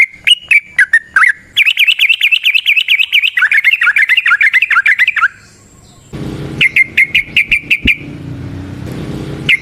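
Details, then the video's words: Yellow-vented bulbul singing in the wild, a lure sound: a few chirps, then a long fast wavering trill of repeated notes for nearly four seconds, a short pause, and a brief burst of notes over low background rumble. "Trucukan GACOR ngalas ROPEL PANJANG suara alam AMPUH buat pancingan"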